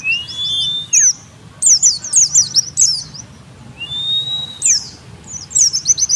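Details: Oriental white-eye lure song meant to make other white-eyes answer: rapid high twittering bursts of sharp descending chirps, with drawn-out thin whistles in between.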